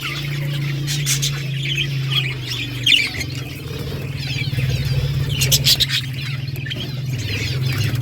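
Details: Budgies singing: dense, scratchy warbling chatter in short bursts, with a steady low mechanical hum running throughout.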